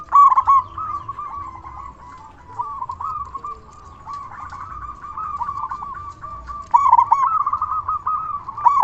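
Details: Local zebra dove with a loud voice, calling to prompt other zebra doves to respond. Nearly continuous strings of soft, rippling coo notes run throughout, growing louder near the start and end.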